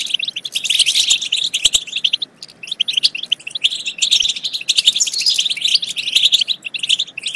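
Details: Goldfinch twittering meant to stimulate goldfinches to sing and mate. A continuous, busy stream of rapid, tinkling chirps and buzzy trills, loudest in the first two seconds and again after four seconds.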